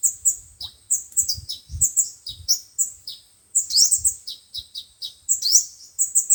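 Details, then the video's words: Sunbird song, five-colour and seven-colour kinds, used to lure birds to traps: high sharp chirps and downward-curving squeaky notes in quick irregular bursts, with faint low thumps in the background. "Tiếng chim hút mật 5 màu và 7 màu dùng để bẩy loa"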